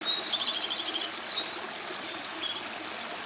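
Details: Japanese robin, noted as one of Japan's three famed songbirds, singing continuously after stepping into view; high whistled notes then a quick rattling trill of about seven pulses midway, over steady rushing stream noise.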